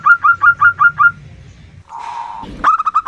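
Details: Local female zebra dove calling, used as a lure to draw reluctant males or wild doves; a quick run of six short, clear, slightly rolling notes, a pause, then a brief harsh burst and more rapid notes.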